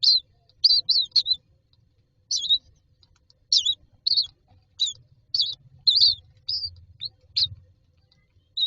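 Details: Young mynas standing in a row inside a nest box, waiting for food, make repeated sharp, high, wavering squeaks in irregular clusters, over light scratching and movement sounds.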